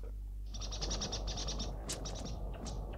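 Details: Song thrush alarm call warning of danger, from a 1989 school nature-study recording: a fast rattling series of about a dozen sharp, high chattering notes, followed by a few louder scattered sharp ticks over a steady low hum.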